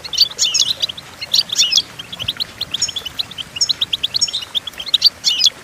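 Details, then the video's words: Goldfinch song used for teaching goldfinches to sing: a fast, liquid twittering of short high chirps and trills, with a few sharper whistled notes and bursts of dense jumbled phrases. "Golden Tunes The Entrancing Song of Goldfinches Birds"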